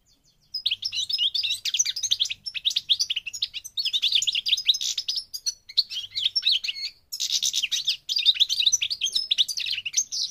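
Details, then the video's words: European goldfinch of the parva form from North Africa, Morocco, singing a long, rapid, twittering song of bright, liquid chirps and buzzy trills, delivered in dense bursts with brief pauses near the start and around the middle. "The Goldfinch's Song North Africa - Parva Morocco Bird Song"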